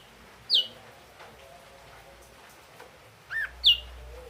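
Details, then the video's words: Red-eyed Ashy drongo gives three short, clear whistled notes, two sliding quickly downward and one lower and flatter, spaced about three seconds apart in quiet surroundings. "Suara asli burung srigunting kelabu mata merah"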